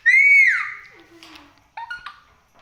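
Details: Pet parrot making varied sounds described as dinner sounds, indoors: a loud arched whistled note, then softer gliding tones and a short burst of harsh chattering notes, in a quiet small room.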